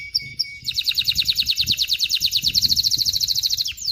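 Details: Male canary singing to teach chicks to sing and prime females for mating; a couple of short high notes, then a long rapid chattering trill of bright pulses, closing with a downward sweep.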